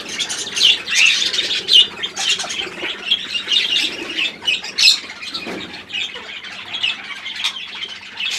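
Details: Several pet budgerigars chatter together: rapid, gritty chirps and short squawks mixed with brighter whistled notes, rising and falling in loud bursts throughout.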